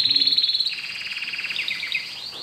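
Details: Domestic canary, new to the house, delivers a pulsed rolling trill that slides downward into wavering, looping notes.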